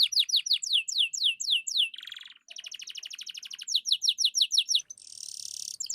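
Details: Vigorous canary song used to prompt silent birds to sing and as tutoring: rapid series of falling whistled notes, a buzzy trill, a long rolling trill, then more descending notes and a high hissing roll.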